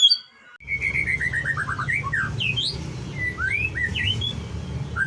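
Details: White-rumped shama song used to provoke other shamas: a falling series of clear whistled notes, then scattered upslurred and downslurred whistles over a steady low hum.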